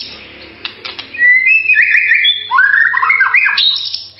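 A white-rumped shama sings a rich, fluid song of whistled phrases sliding up and down, with some soft clicks at the start.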